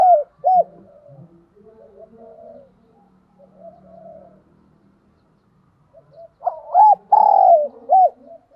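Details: Cooing and calling from a decoy spotted dove: two short arched notes open, then several seconds of soft, low murmured cooing, before a loud phrase with a long sustained coo and closing hooked note.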